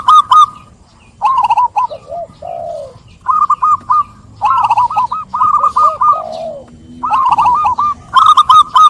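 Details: Zebra dove song: repeated bursts of quick, bouncing cooing notes, each phrase ending in a lower downslurred note. Overlapping phrases suggest several birds calling together.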